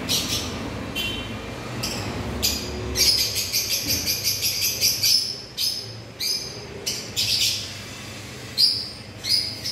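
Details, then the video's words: African lovebirds giving sharp, shrill chirps high in pitch, some single and some in quick runs of several notes, repeated irregularly over a faint low background hum. "African Love Birds"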